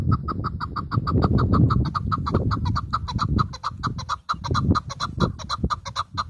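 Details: Chukar partridge, a local hunting (shekari) bird, giving a fast, steady series of short clucking 'chuk' notes, about four per second, continuing throughout over low rumbling background noise.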